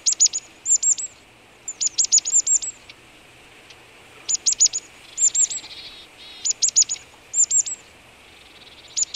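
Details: Marsh tit at a boar carcass on a frosty February 2013 morning (−18 °C), Vitebsk region, Belarus; bursts of three to five sharp, high, slightly downslurred chips in quick series, with one soft nasal buzzy phrase mid-way.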